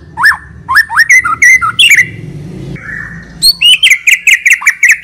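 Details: White-rumped shama singing nonstop with a full, rich repertoire, a lure bird for prompting others: loud rising whistled notes in quick bursts, a brief drawn-out note, then a fast run of sharp repeated whistles.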